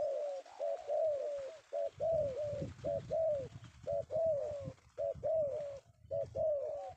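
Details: Spotted dove (tekukur), a male taken one afternoon in Indonesia and valued by bird trappers. It coos steadily in soft, hollow notes, some doubled, close to one per second, over low rumbling background noise.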